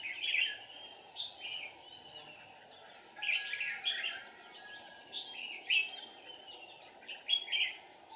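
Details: Red-whiskered bulbul, decoy bird at a trap, 7 April 2019. Short bubbly chirped phrases come roughly every two seconds, some overlapping from more than one bird, with faint insect-like trills and a constant high background hiss.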